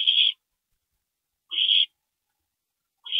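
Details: Night at an owl nest, 2:40 AM on April 22, 2012, with a parent visiting: loud, breathy, hissing screeches about one and a half seconds apart, separated by silence.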